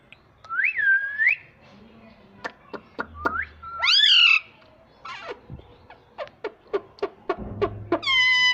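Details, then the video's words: Talking pet ringneck parrot that says "Mummy": a looping whistle, then a loud bending harmonic call and a final strong call, with many sharp clicks and taps between them. "Parrot Sound _ Mummy Bolta Tota Mitthu _ Talking Parrot _ Cute Ringneck Parrot mitthu"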